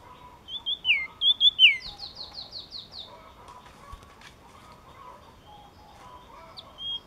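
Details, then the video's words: Yellow-cheeked tit gives a few bright downslurred whistles, then a rapid series of short buzzy high notes, followed by quieter distant chirps and faint background noise. "Chim Chi Chi Mào Hót Cực Hay"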